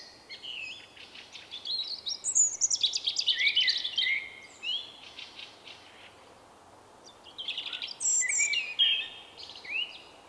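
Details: Male Common Blackbird with a distinctive song, March 2024. Two bursts of high, rapid, scratchy twittering with squeaky whistles, the first about three seconds long, the second shorter, separated by quiet outdoor hiss.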